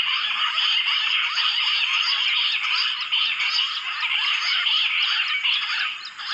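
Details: Bush quail in jungle, lured with a mobile phone, fill the air with an unbroken mass of shrill, overlapping twittering notes that hold steady throughout, with no gaps between callers.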